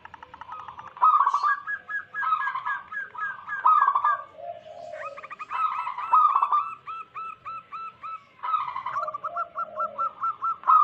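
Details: Zebra doves, wild native birds, recorded as a lure for catching wild doves: overlapping bursts of rippling coos and strings of short clipped notes, with lower soft calls between, several voices together.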